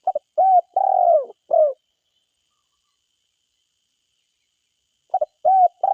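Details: Forest spotted dove, calling vigorously: the end of a phrase of short notes, an arched coo, a long sliding coo and a closing coo. After more than three seconds of silence, a double note and a coo start the next phrase.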